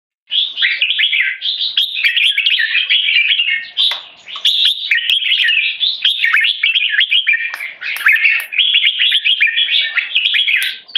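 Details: Tame Singapore-raised male red-whiskered bulbul giving keke calls in a training test while disturbed by humans: dense, loud runs of sharp chattering notes, steady for eleven seconds with one brief dip near the fourth second.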